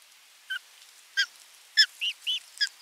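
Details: Osprey bringing a fish to nest 3 on 27 June 2022 and following the feeding: a series of six high, clear whistled chirps, the last several slurred and arched, spaced about half a second apart.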